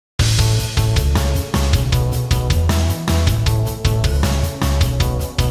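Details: Loud rock music with pounding drums, heavy bass and distorted guitar throughout, with no animal voice heard.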